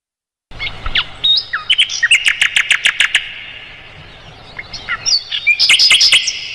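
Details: Mugimaki flycatcher singing, a tutor recording for songbirds: brief whistles open into a fast run of about ten even, sharp chirps, a pause, then a dense burst of high twittering.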